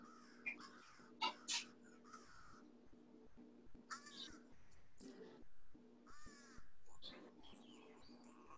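American Crow giving a varied run of short hoarse caws and throaty, gargling notes in irregular bursts, over a steady low droning hum.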